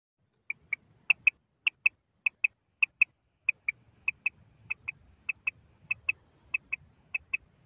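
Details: A female common quail, of the kind used as a hunting lure, gives short, sharp, high notes, mostly in quick pairs, about every half-second, with a faint low rumble underneath.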